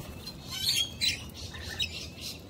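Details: A wild, friendly Australian sulphur-crested cockatoo gives short, harsh, raspy squawks, about five rough bursts over two and a half seconds, with faint low background rumble.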